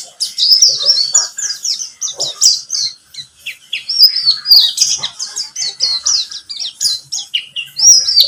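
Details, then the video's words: Buxtomi-type pleci (white-eye) song used to coax birds into singing: quick rising and falling high chirps strung into fast twittering phrases, with a few short pauses between runs. "Pancingan pleci buxtomi agar bunyi"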